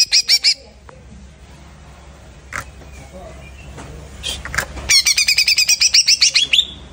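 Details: Freshly moulted greater green leafbird gives a brief chattering burst, falls quiet amid background noise and scattered clicks, then resumes with a long run of rapid, sharp repeated notes.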